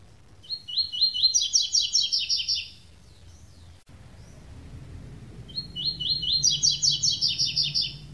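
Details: Double-collared seedeater giving its classic song without the third note: two bright, rapid phrases of high twittering notes, each about two seconds long, separated by a short pause over a faint low hum.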